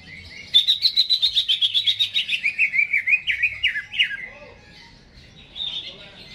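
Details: Greater green leafbird kept in a cage, in full song before being hung up. It gives a rapid, even series of bright trilled notes that slide steadily downward, then pauses before a short high phrase.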